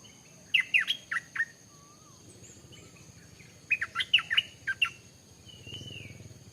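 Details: Stripe-throated bulbul delivering two chattering phrases of bubbly, up-and-down slurred notes. Faint thin whistles are heard in between, and a soft rustling noise comes near the end.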